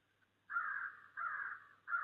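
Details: Crow calling in snowy December: three harsh, drawn-out caws, each lasting about two thirds of a second, delivered at a steady spacing against a quiet background.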